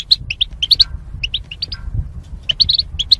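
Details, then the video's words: Caged goldfinch pairs separated by wire: a short run of crisp, high, clipped chirps, fast and uneven, with a brief pause midway, over faint low hum. "Goldfinch Chirping Sounds"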